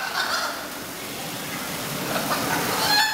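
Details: Captive hyacinth macaws at Macaw Island in the Tropical Cove of the Tennessee Aquarium, Chattanooga, give harsh, honking squawks: a rasping burst at the start, then shorter squawks near the end, over a steady background hiss.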